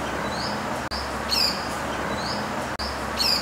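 Pied falconet giving thin, high, slightly rising squeaky notes, each quickly followed by a sharper shrill one, the pair repeating about every two seconds over a steady hiss.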